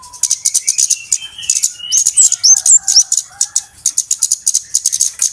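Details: Lure recording of noisy flowerpeckers for bird trapping: steady, high-pitched chipping ticks in quick succession, a short burst of thin twisting whistles, and faint lower whistled notes underneath.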